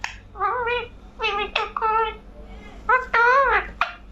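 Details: Talking parrot producing a run of high, nasal, speech-like syllables in several short phrases, some rising and falling in pitch, separated by brief pauses, over a faint low hum.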